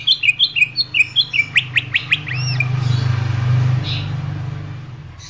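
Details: Greater green leafbird song used as a tutor recording for training birds: a quick run of short repeated chirps, then sharp upward-sweeping notes and a looping whistle, over a steady low hum.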